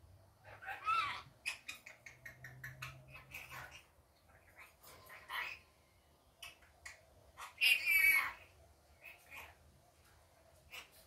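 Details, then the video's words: Rainbow lorikeet kept as a pet, daytime: rapid scratchy clicks and short chattering notes, then a loud harsh screech near the end, followed by a few softer chirps; low hum underneath. "Rainbow Lorikeet daytime"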